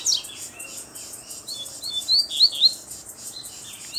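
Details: Black double-collared seedeater with a bluish-white bill, singing firmly while calling a rival to fight; high whistled notes sliding up and down, then a run of three sharp rising slurs near the end, over faint room hiss.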